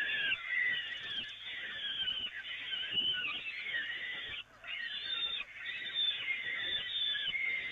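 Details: Peregrine falcons at the Evoluon nest, 13 May 2018, during feeding on the nest grating: continuous harsh, wheezing, scratchy calls, drawn out and overlapping, with brief breaks and faint background rumble.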